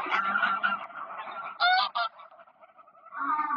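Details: Greylag geese on Park Poleski ponds, 1 October 2024, keep up continuous overlapping cackling, broken by two sharp, loud honks in quick succession.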